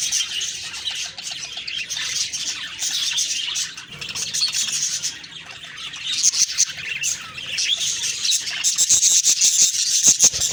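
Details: Budgerigars chirping in the morning: a dense, continuous high chatter of overlapping twittering notes, with brief scratchy clicks toward the end.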